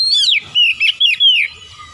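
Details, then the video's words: Oriental magpie-robin song, a brief burst of sweet whistled notes, sliding downward and twisting, given in quick succession with short gaps. "alunan kicauan Kacer yang indah"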